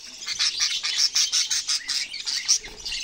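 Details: Budgerigar calls: a dense run of high, scratchy chirps and warbled notes, pulsing several times per second for about three seconds with barely any pause, with no other clear sounds.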